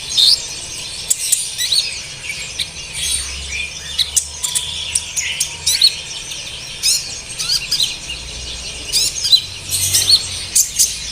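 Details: Lure song of an olive-backed sunbird for stirring captive birds to sing: thin high chirps, short sweeping whistles and sharp ticks in irregular bursts, with brief gaps and steady faint hiss.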